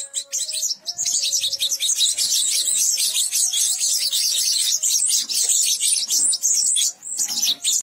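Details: Begging goldfinch nestlings: an unbroken, shrill chatter of high, scratchy chirps overlapping one another, fast and uneven, with faint lower tonal notes in the background.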